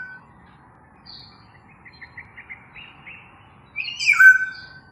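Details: Black-naped oriole with a series of soft quiet notes, then a loud fluted whistle that drops in pitch and ends on a steady mellow tone.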